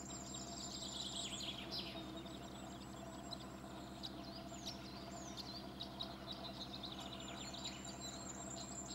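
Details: A pair of citril finches feeding on seeds in the early morning at their high-mountain breeding site, Puerto de la Ragua, Granada, Spain, 23 May 2020, giving thin, high twittering and sliding call notes over a steady low mechanical hum.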